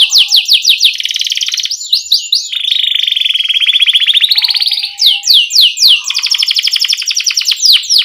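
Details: Young-canary training song from a canary: repeated descending sweeps leading into long rolling buzzy trills, then more rapid downward-slurred notes.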